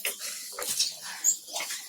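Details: Budgerigars in a village colony during hot weather, when chicks were both hatching and dying, give scratchy, high chattering bursts, four or five quick clusters in under two seconds, with a couple of thin whistled squeaks.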